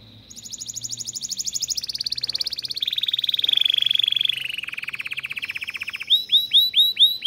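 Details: Caged canary singing in a breeding room: a run of rapid rolling trills, each block of quick repeated notes stepping down in pitch, then a closing series of louder, swooping, downward-curving notes repeated about twice per second.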